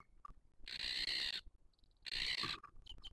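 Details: Booted eagle at its nest in 2023 during a chick feeding: two loud, drawn-out, rasping screeches, each lasting nearly a second, with faint short whistles and soft rustling between them.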